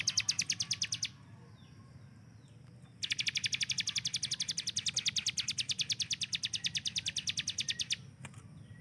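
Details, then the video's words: Hill prinia master bird whose fast 'tembakan' is likened to an AK-47. A short burst of quick high notes is followed after a pause by a long, very even, rapid rattle lasting about five seconds. "CIBLEK GUNUNG || Melatih Speed dan Tembak Burung Gacoan"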